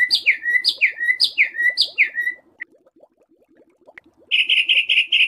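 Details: Songbird training recording in the harsh 'besetan kasar' style for pet and contest birds: four loud downslurred whistled notes, a pause with faint chatter beneath, then a fast buzzy rattling burst.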